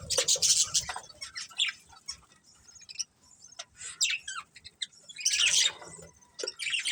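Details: Breeding pair of budgerigars giving irregular scratchy chirps and short warbles, several quick squeaks in a row, then a louder chattering burst near the end.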